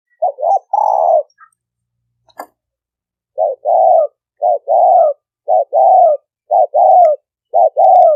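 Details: Spotted dove cooing meant to draw in males and females: a low two-part phrase of a brief note then a longer coo, repeated steadily about once a second, with one faint click near the start.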